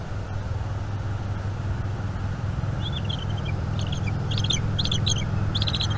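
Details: Bald eagle eaglet at a nest in northeast Florida, filmed by a nest camera on 5 May 2021 in the evening while its mother feeds it squirrel. Faint, high chittering phrases come in short bursts over a steady low hum.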